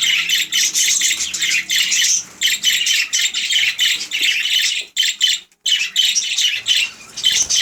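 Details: Budgerigars warbling almost without pause, a dense, buzzy, high-pitched chatter broken by a couple of brief gaps, likely several birds indoors.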